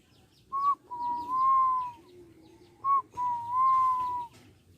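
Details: Juvenile Barbary dove practising its coo. Twice it gives a short sharp opening note, then a sustained, smooth, slightly arching tone near a second long. The background is otherwise quiet.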